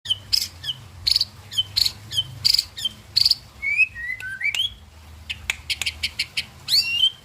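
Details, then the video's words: White-rumped shama song: bright whistled notes repeated about every 0.7 seconds, then a run of short slurred whistles, some rising and some falling, ending with a louder sweeping whistle. "murai pastol"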